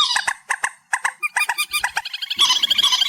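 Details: Reed warbler singing, amplified: evenly spaced harsh clicks and rasps that speed up into a dense, grating chatter.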